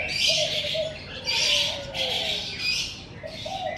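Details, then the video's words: Morning bird chorus outside a house: loud bursts of high, scratchy chirping about every second, with a gentle low cooing line running through and a little background hiss. "Suara Kicau Burung"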